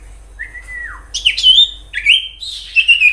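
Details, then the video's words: Common iora song from the wild: a long level whistle dropping at its end, followed by energetic trilled phrases that rise and hold, repeated three times in quick succession. "Sirtu gacor nyiul asli suara Alam cocok untuk pancingan sirtu ombyokan,agar cepat Bunyi"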